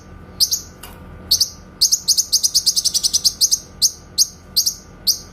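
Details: Clear tembakan delivery of a grey-cheeked bulbul for training white-rumped shamas: a few isolated sharp notes, then a quick steady series of high clipped chips, slowing to spaced pairs.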